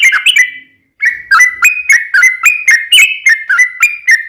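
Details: Sooty-headed bulbul in energetic long-trill song, used to coax other bulbuls to reply: a steady series of clear whistled notes, stepping up and down in pitch, repeated several times a second after a brief pause.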